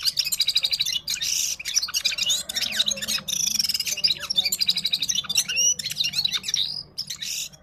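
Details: Parachinar Himalayan Gulsar in full-power song, a long run of fast, high twittering phrases, buzzy trills and sharp whistled notes with brief gaps, close and loud.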